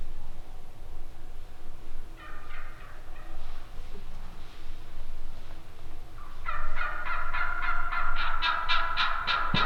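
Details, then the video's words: Wild turkeys calling: after a quiet start, a short series of harsh, harmonic yelps, a pause, then a fast run of about a dozen loud, evenly spaced yelps to the end. "Epic Sounds of Turkeys Calling!!"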